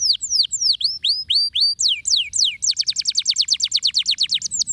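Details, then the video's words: Canary delivering ngeriwik song as a lure: drooping and rising whistled slurs, a few sweeping notes, then a long quick roll of clipped high chips about four per second, faint low noise. "terapi kenari ngeriwik agar cepat bunyi gacor &ngeroll dengan pancingan kenari gacor ini"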